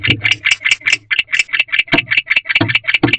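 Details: Male barn owl chirping inside a nest box at 1:21 am on 3 May 2023, a sound earlier linked to courting; rapid raspy chirps at about two or three per second, loud and close, with low thumps from movement in the box.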